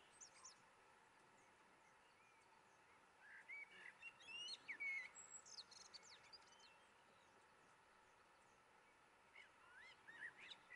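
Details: Common blackbird of the subspecies cabrerae in Firgas, Gran Canaria, in February 2020: a quiet, fluty warbled phrase in the middle, ending in high thin twittering notes, then a short soft phrase near the end over steady background hiss.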